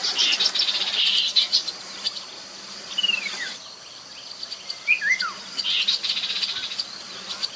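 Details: Chestnut-capped babbler, Mekong riverbank, Nakhon Phanom, Thailand, 2021, played as a lure: harsh buzzy chattering at the start, two separate falling whistled phrases in the middle, then another short rattle, with insects droning behind.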